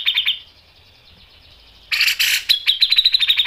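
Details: Grey-cheeked bulbul singing: a short sharp run of repeated notes, a thin fading trill, then a loud rasping burst leading into a fast stream of piercing chips in the nembak style.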